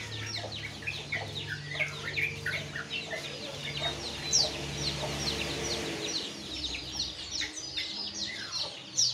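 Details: Morning songbirds named as Jongkangan, Terucukan and Pleci: continuous dense chirping and twittering from many birds, short sweeping notes repeated rapidly, with a constant low droning hum underneath.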